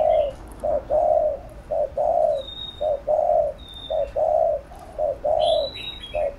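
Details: Spotted dove giving 'thúc gù' urging coos, played to train newly caught birds: low mellow coos in a steady short-long rhythm, about a dozen notes in six seconds, with faint high chirps of other birds in the background.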